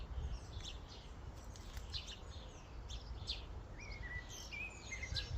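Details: Common starlings gathered in a flock at a feeding station. Busy scratchy chatter mixed with clear whistled notes, some sliding, over steady background hum.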